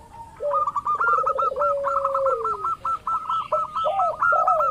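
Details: Lure recording of a local zebra dove meant to set other doves calling: a fast, even train of clipped coos over a long, falling, quavering lower note, with faint higher chirps late on.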